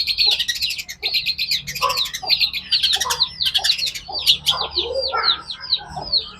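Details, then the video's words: Long-tailed shrike singing energetically: dense, high, rapid chattering with harsh buzzy trills and clicking bursts, mixed with lower slurred notes, continuing without pause. "gacor dibawah belum ditentu diatas #cendet"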